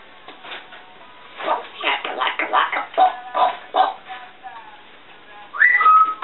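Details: A female African grey parrot indoors, chatting to herself: mumbled speech-like babble, then a rising whistle ending in a flat held note.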